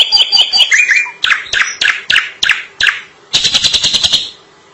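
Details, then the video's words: Drongo in long song: a string of harsh, buzzy notes repeated about three times a second, a short pause, then a fast rattling burst of chattering notes. "Suara asli burung Srigunting gacor panjang"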